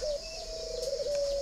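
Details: Spotted dove of the 'phượng hoàng đất'-like type, red bill and yellow legs, caged in Ba Vì, Vietnam; a continuous low coo wavers a little mid-note, with a brief high chirp near the start.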